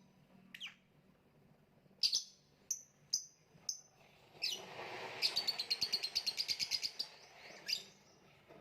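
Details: Lovebird, kicau mania, gantangan macet: scattered sharp high chirps, then a rapid rattling trill of about a dozen fast repeated notes, followed by a final chirp.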